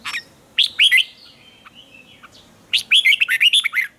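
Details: Caged red-whiskered bulbul in morning song practice, a short phrase of rolling whistled notes, a quiet gap with soft chirps, then a longer, faster run of bright, looping warbles.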